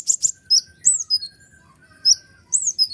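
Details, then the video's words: Kolibri ninja sunbird singing energetically, a tutor call meant to rile other songbirds: sharp high chirps and downslurred whistled notes in quick bursts, with a faint steady low tone underneath. "Jangankan konin burung ciblek pun emosi mendengar suara ribut kolibri ninja gacor nembak full durasi"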